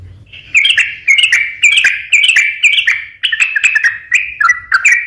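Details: Lure recording of a sooty-headed bulbul in strong song, meant to set silent or stressed birds singing: lively, bubbly whistled phrases, each a quick rising-then-falling flourish, repeated about every half second.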